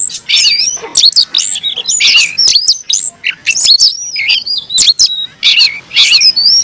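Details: Aggressive fighting song of a caged Oriental magpie-robin, a dense stream of piercing whistled notes, rising and falling slurs and scratchy trills, delivered in quick bursts separated by short pauses.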